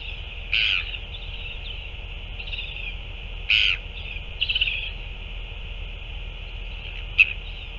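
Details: Northern royal albatross recorded at a feeding on 9 February 2024. Three harsh croaking bursts spaced about three seconds apart, then a sharp click, over a steady hissing background.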